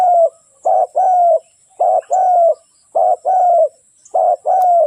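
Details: Lure calls of a decoy spotted dove for trapping: four evenly spaced phrases, each a short coo and a longer, slightly falling coo, delivered at a steady rhythm.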